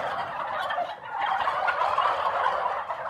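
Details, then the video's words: Continuous harsh, warbling turkey vocalizing fills the whole stretch, a dense throaty rolling sound with no pauses and a steady level throughout. "ЗВУК ІНДИКА | Який звук видає індик"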